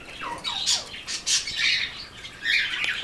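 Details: Rainbow lorikeet kept as a caged pet, one of two, greeting its owner for attention: opening with quick downward-sliding squeaks, then a run of harsh grating screeches, a brief pause and a final loud rasp.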